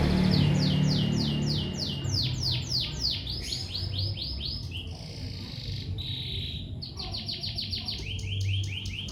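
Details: Lovebird chirping: rapid series of sharp, descending high chirps, about four per second, then a pause filled with a harsh hissing buzz, and the fast chirp series returns near the end.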